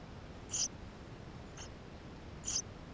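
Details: Nestlings of Eurasian tree sparrow begging from within their nest, GoPro recording, May 2016: two thin, high-pitched squeaks two seconds apart, with a fainter cheep between them, against low constant hiss.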